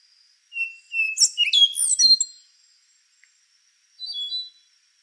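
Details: A rufous-brown solitaire sings one full phrase: level whistles, then a quick cascade of high, bell-like and squeaky notes, followed a second later by a short softer whistled fragment.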